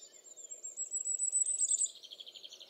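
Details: A common firecrest sings in the Eifel near Dohr, Germany: a very high, thin series of rapid notes that quicken and run on, with a faint low hum beneath.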